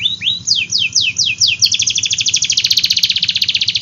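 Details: Canary song opening with rising whistles and steep falling sweeps, then accelerating into a long rapid rolling trill, with a low steady hum underneath.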